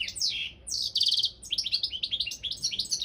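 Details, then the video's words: European goldfinch of the Balkan form, Carduelis carduelis balcanica, entered in an internet world singing championship: rapid twittering song of sharp descending notes and buzzy trilled bursts between 2 and 8k, with a brief pause mid-phrase. "World Championship in Goldfinch Song"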